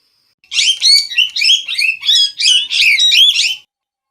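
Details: A parrot's burst of fast, grating chatter: rapid harsh notes tumbling over one another for about three seconds, loud and scratchy, then it stops abruptly.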